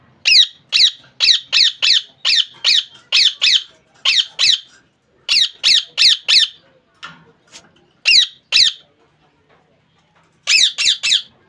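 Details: Long run of piercing screeches from a caged rose-ringed parakeet, delivered in groups of two to four calls with short gaps and a few seconds of near quiet before a final rapid triplet.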